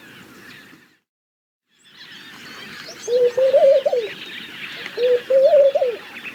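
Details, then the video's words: After a quiet start with a brief break, a laughing dove utters two low, rolling coo phrases near the end, each starting with a short note then a wavering series; steady background bird chatter and hiss. "Laughing Dove - Calls"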